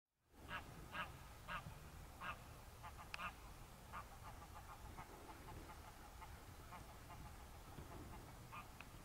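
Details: Greylag goose met up close, giving a series of short nasal honking calls spaced about half a second apart, tailing off into softer repeated notes over steady background rumble.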